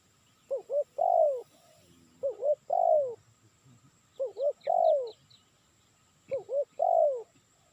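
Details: Spotted dove calling to lure birds: three phrases, each of two short hooked coos and a long falling coo, spaced about two seconds apart. Faint high chirps from another bird are heard midway.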